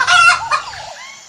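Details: A chicken gives a harsh, nasal squawk that breaks into a falling, drawn-out cackle, all within about a second.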